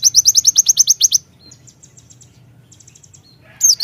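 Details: Javan myna call used to stir up other birds: a fast train of about a dozen sharp, high chattering notes, then softer faint repeated notes and a final loud burst.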